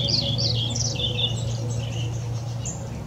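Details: Playful birds chirping while bathing and eating: quick, bright, high twittering notes in a rapid irregular jumble over a steady low hum.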